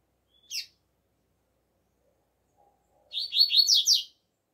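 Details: Outdoors, a double-collared seedeater in the alegria tuí tuí zeo zeo song style gives one sharp note, then after a pause a fast bright phrase of high whistled slurs ending in descending sweeps; no other sounds.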